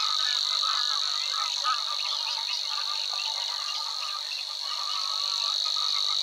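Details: In a marsh by the Weerribben, Overijssel, a Savi's Warbler reels on in May 2022, a flat high buzz lasting the whole stretch, accompanied by busy lower chattering phrases of other reedbed birds.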